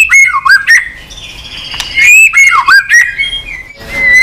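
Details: White-rumped shama singing continuously in many voices, flicking its tail on the perch. Harsh, squawky notes are paired with dipping whistles, repeated in two similar phrases.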